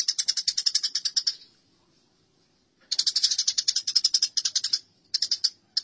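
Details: Fighting house sparrows give rapid, strident chirping in two long bursts separated by a quiet gap, with a short final flurry.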